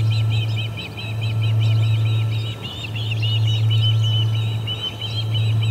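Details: Osprey pair ejecting visiting ospreys at the Charlo P2 nest, August 20, 2020, 12:10pm MDT: continuous fast series of high, slurred whistled chirps throughout, backed by a constant low hum.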